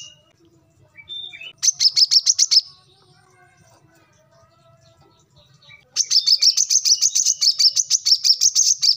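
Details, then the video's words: Brown-throated sunbird (kolibri kelapa, wiceh) recorded for training other birds: a few thin rising notes, a short burst of high chirps, a quiet spell, then a long lively series of sharp tweets. "kolibri kelapa | manggar | wiceh | korlap gacor"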